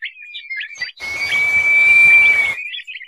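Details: Roul-roul or crested partridge giving one long, level, whistled note of about a second and a half, framed by brief chirps before and after, over a faint rushing hiss.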